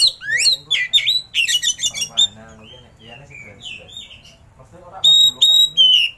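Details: Oriental magpie-robin song of sweet whistled slurs and quick chattering notes, pausing midway under a low murmur before resuming with long steady high whistles.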